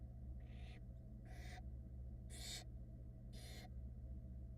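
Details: Barn owl chicks at a Florida nest box camera, hatched February 2022, reacting as their wet mother tries to dry off: four harsh, breathy hissing bursts, each about a third of a second, over a steady low hum.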